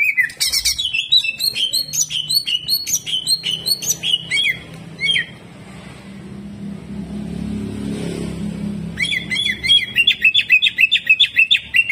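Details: Greater green leafbird performing lively 'jamtrok' song full of rough 'tembakan kasar' shots: rapid repeated sharp chirps, a pause filled by a low rumbling hum, then another fast burst of high, evenly spaced notes.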